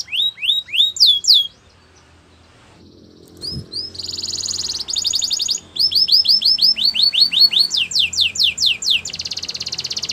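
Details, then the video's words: Training song of a canary: quick sliding notes, a brief quiet pause, then buzzy rattles, repeated upward-and-down swoops and a dense high trill to finish. "Canary song for training"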